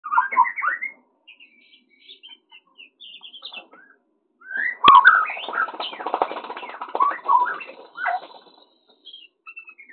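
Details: White-rumped shama during mating in a breeding enclosure, caught on CCTV: varied whistled phrases that rise and fall, a dense burst of harsh chattering and twittering in the middle, then scattered short whistles with brief pauses.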